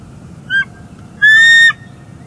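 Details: At their northeast Florida nest on an early December 2020 morning, bald eagles rebuilding the nest give a short squeal followed by a longer, level, clear whistled note with bright overtones.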